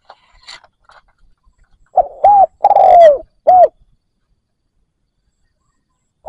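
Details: Spotted dove kept as a lure for wild doves gives one loud four-part cooing phrase ending in an arched note, preceded by faint scattered sounds and followed by the start of another coo.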